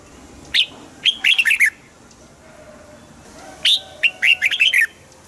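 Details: Caged-bird song of a red-whiskered bulbul, used to rouse other caged birds: two short phrases, each a clear upslurred note then a rapid chain of five liquid, warbling whistles, with quiet background between.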